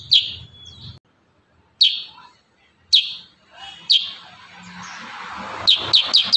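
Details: Kurincang in close-shot song: piercing, abrupt notes that drop in pitch, repeated roughly once a second with short whistled tails, closing with three quick notes in a row over faint background noise.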